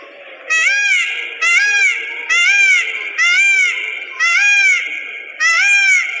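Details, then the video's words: A dancing peacock repeats loud, nasal, upward-arching cries about once a second, six in a row, each strongly harmonic and of similar length. "peacock sounds with dance"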